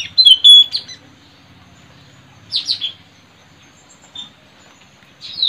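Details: Wild white-rumped shama singing in forest, recorded while tracking birds at a trapping perch: bright high whistled phrases with slurred falling notes, separated by short pauses, over a quiet background.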